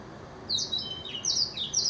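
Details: A blackthroat sings three short, high, sweeping phrases, each a bright slurred note at about half-second spacing, over a faint steady background hiss.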